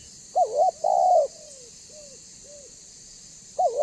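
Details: Spotted dove of banggo voice calling as a lure for other doves; a loud quavering double note and long coo, then three softer separate falling coos, and the phrase beginning again at the end, with a faint high hum.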